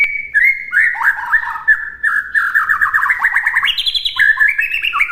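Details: White-rumped shama master recording: lower fluty whistles, then a long sequence of fast rattling downslurred notes, ending with higher rising whistles, continuous and loud.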